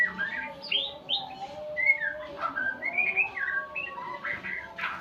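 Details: White-rumped shama practising new sounds: rapid mix of sharp upward-swept whistles and chattering chirps in quick succession, with a constant low humming tone beneath.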